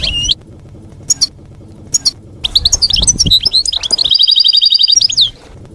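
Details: Campero-style European goldfinch song for tutoring young goldfinches; a few isolated bright calls, then a rising tumble of quick twitters ending in a long steady rattled trill of high notes.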